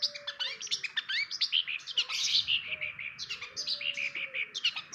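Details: Busy, varied warbling from a long-tailed shrike (cendet), dense high chirps and slurred whistles running almost without pause, while a faint lower whistle and soft background rumble sound beneath.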